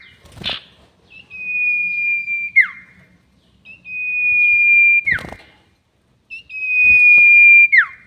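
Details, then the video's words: Long whistle of a sirtu bird, a lure sound for bird trapping: three drawn-out, even high whistles, each lasting over a second and closing with a sharp downward slur, spaced roughly every two and a half seconds. "SIRTU NYIUL PANJANG ..... ‼️ Cocok Untuk Pikat || Suara Pancingan Sirtu"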